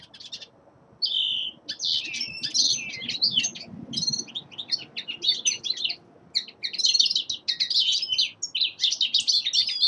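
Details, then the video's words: Winter song of a young male linnet, a fast, continuous warble of varied twittering notes and sliding chirps that runs almost without pause for nine seconds. "Песенка Реполова Коноплянки song of Carduelis cannabina"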